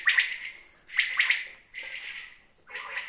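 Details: Common quail giving its call: quick clipped three-note phrases, each pulse sharp and bright, separated by short pauses of under a second.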